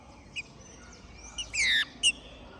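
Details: Captive ringed green-winged saltator from Minas Gerais singing after moult: a brief loud downslurred whistle with short chirps before and after, over steady background hiss.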